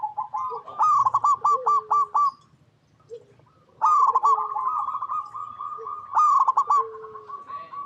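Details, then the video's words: Zebra dove of a local line, cooing as a lure for other doves: staccato, rapidly stuttered coo notes in bright bursts, then a long rolling phrase and a quieter drawn-out coo, with a brief pause between. "Perkutut Lokal Gacor Suara Paling DiCari Untuk Pancingan Semua Burung Perkutut Agar Bunyi"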